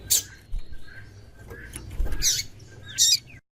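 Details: Female double-collared seedeater (Sporophila caerulescens) calling to stimulate the male: three harsh, high, scratchy chip calls, widely spaced over about three seconds, over a low background rumble.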